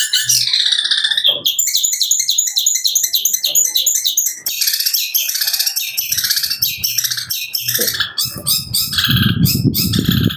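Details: A young, roughly six-month-old long-tailed shrike, still with juvenile wing feathers, reacts to other birds with a very fast, unbroken run of high, sharp chirps and imitated notes, reportedly sparrow and cat sounds. Men talk quietly underneath, and a rough noise joins near the end.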